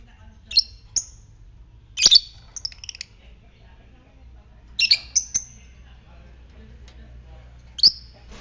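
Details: Lovebird of fighter type, a lure recording meant to stimulate other lovebirds to trill; sharp high chirps in scattered pairs and singles with silent gaps between bursts, faint low background hum.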